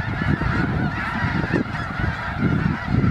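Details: Snow geese massed in a big winter flock in Skagit County, Washington, honking together in a thick, steady din of overlapping nasal calls, over constant low rumble.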